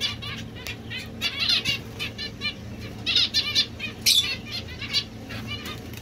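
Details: Quick buzzy chirps from domestic Society finches, some brighter high bursts and a sharp click, over fluttering and a constant low hum.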